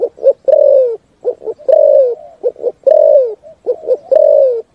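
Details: Spotted dove cooing in the 'thúc gù' style. Paired short coos are each followed by a long coo that drops in pitch at the end, repeated about four times in a clear, even rhythm.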